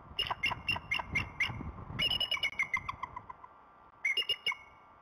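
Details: Bald eagles, a pair at the Decorah North Nest, morning of 25 February 2016, calling as one arrives at the nest bowl. Rapid runs of shrill, staccato piping notes come in three bursts about two seconds apart, with a faint low rumble beneath.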